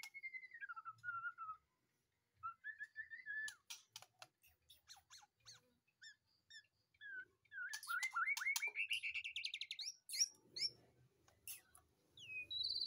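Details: Caged white-rumped shama, freshly moved from a breeding cage, singing softly: descending whistled slurs, scattered clicks, then a fast rising run of repeated chirping notes and brief high squeaks.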